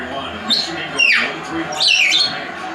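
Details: Parrot in a room letting out a few drawn-out harsh squawks with sliding pitch over a steady background hum.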